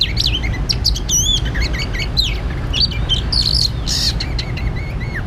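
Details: Oriental magpie-robin at a trapping site singing a fast, varied run of whistled slurs and sharp chirps, some notes rising and falling in loops, against constant low background rumble.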